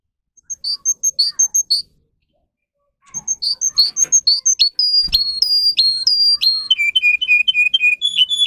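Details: Russian canary, a domestic singing bird, played to teach young canaries to sing: brief bright whistled notes, a pause, then rapid varied high phrases, sharp clicks and a steady repeated trill that falls to a lower pitch near the end.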